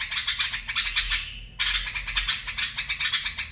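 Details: A bulbul sings a fast barwaz and mfaraah sequence: quick, evenly pulsed bright notes, a short slide downward and a pause, then the rapid pulsing resumes.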